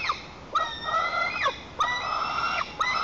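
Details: White-tailed eaglet lying in its nest in Lower Kama National Park, Tatarstan, 21 July 2023, defending the nest from its mother. Wailing, sustained screams that swoop upward at the onset and fall away at the end, repeated three times.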